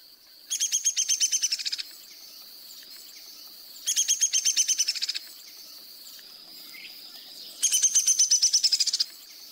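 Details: Downy Woodpecker descending whinny: three rapid rattling series of high sharp notes, each lasting over a second and dropping slightly in pitch, spaced about three seconds apart over a steady high hiss.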